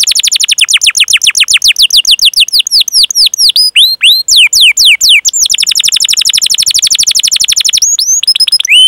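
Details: Canary song offered as a training master for young, learning or silent canaries: long continuous rolling trill of rapid upswept whistled notes, about four per second, shifting pitch midway, then a few clear whistles.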